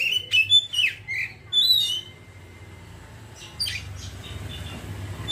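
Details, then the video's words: Oriental magpie-robin in ngeriwik twittering that breaks into open singing: quick bright whistled notes and slurred chirps in the first two seconds, a pause, then a harsher burst of notes. "kacer ngeriwik langsung ngeplong seketika"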